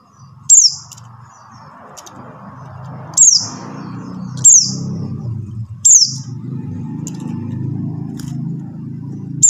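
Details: Buxtoni white-eye call, used as a lure to get silent white-eyes singing: sharp, high, downward-sweeping notes repeated every two to three seconds over a steady low hum and faint murmuring.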